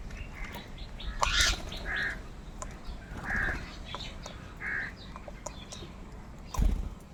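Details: Crows squabbling over food while eating in a group: short, harsh, nasal caws every second or so among faint background chatter and scattered clicks.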